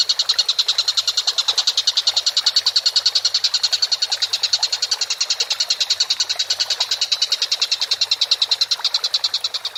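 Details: Collared kingfisher in a bird training recording. One continuous, rapid stream of harsh, metallic kek notes carries on for nearly ten seconds, loud and evenly paced throughout.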